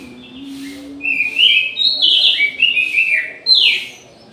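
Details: Orange-headed thrush in an aviary at midday giving a run of varied whistled phrases, rising and falling, several linked notes in quick succession; a steady low hum underneath at the start.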